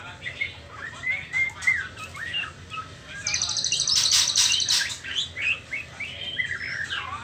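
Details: Young white-rumped shama at the trotol stage, before pastol, sings a rambling series of short whistles and slurred notes, broken midway by a rapid high, rattling chatter lasting about two seconds.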